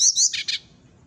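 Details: Morning call of a brown-chested jungle flycatcher, two sharp high whistles followed by three short, harsher chirps, all within half a second, then quiet.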